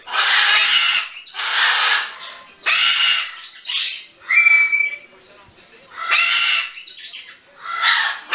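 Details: A 22-year-old pet Severe macaw on its first day at a sanctuary, 6 September 2015, gives harsh, raspy squawks about a second long every one to two seconds, with one brief clear whistle among them.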